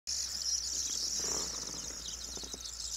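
A corn bunting's dry, jangling song runs as a dense, high-pitched shimmer for nearly three seconds, with faint clicks and a low background hum.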